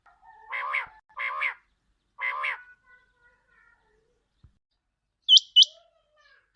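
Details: Quail lure recording for catching quail: three harmonic, nasal notes in quick succession, then silence, then two short high sharp chips near the end.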